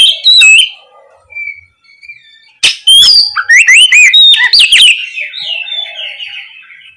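An Oriental magpie-robin gives loud, varied whistles, sweeping up and down in quick phrases with sharp chips between them.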